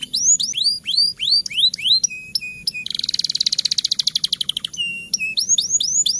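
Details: Canary rolling song meant to spark singing in quiet canaries during the rainy season: repeated rising whistles and level notes, a dense rapid buzzing roll in the middle, then more rising whistles.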